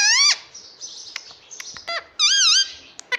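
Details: Indian ringneck parakeet talking, saying "mummy" and "papa": a sharp, shrill opening syllable, scattered clicks and short sounds, then a wavering, harmonic-rich word near the end.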